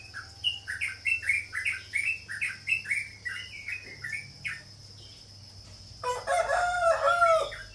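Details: Sooty-headed bulbul giving an even series of bright, bouncing two-part chirps about three per second, pausing, then a louder, richer burst of mixed warbling notes at the end, over a faint constant whine and hum.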